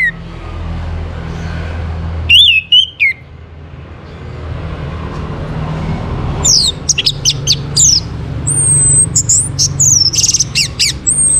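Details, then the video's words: Orange-headed thrush song used as a prompt for other birds: a brief whistled phrase, a lull, then a lively, varied run of sharp notes and very high, thin whistles over a low hum. "KICAUAN ANIS MERAH UNTUK PANCINGAN AGAR BURUNG IKUT BERKICAU"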